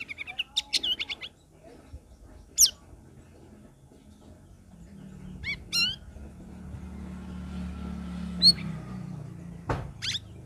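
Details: Sooty-headed bulbul song for prompting other cage birds to sing: a rapid stutter of chirps, then isolated sharp falling notes every few seconds over a rising low rumble.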